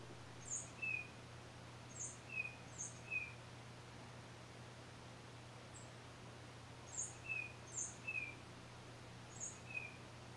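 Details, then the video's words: A single Tufted Titmouse gives thin, very high notes, each paired with a short lower slurred whistle, in quick runs of three with pauses between, over a low steady hum. "Tufted Titmouse Solo"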